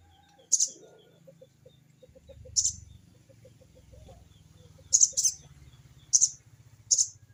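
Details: Sogon calling a rival, harsh 'crecet cerecet' notes: six short, scratchy, high bursts, some in quick pairs, over a steady low hum and soft ticking.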